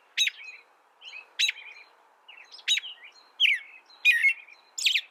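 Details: Canary giving loud, abrupt high chirps about once a second, separated by faint softer twittering notes; otherwise calm and quiet.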